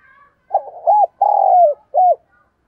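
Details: Spotted dove (cu gáy) used as a decoy bird, calling in a standard voice to stir up wild doves: a soft opening coo, then a longer, loud, slurred croo falling at the end, and a short final coo, in a clean, quiet setting.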